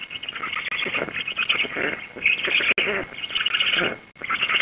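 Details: Black stork chicks and a returning adult female at a nest in Łódź, Poland, 16 June 2021, 19:34, during feeding. Harsh, hissy wheezing runs almost continuously in ragged pulses, with a steady high hum throughout.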